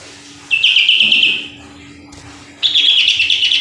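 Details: Two rapid chattering bursts from a sooty-headed bulbul, each a string of quick, slightly descending notes about a second long, separated by a pause with a faint low hum.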